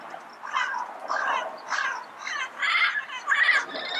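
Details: Yellow-headed parrot calling in the wild: six rough, grating squawks in close succession, the later ones louder and more strident, over a soft natural hiss.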